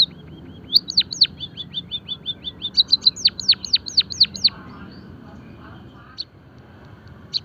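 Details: Java sparrow song used for birdsong training and stimulation: hooked, sharply falling bell-like notes mixed with rapid soft chips, then a pause with a faint low murmur and a few isolated high notes.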